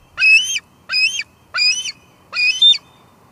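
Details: On a summer 2022 Two Harbors nest cam, a female bald eagle squeals four times, roughly every 0.7 seconds. The notes are high and ringing, each one slightly wavering.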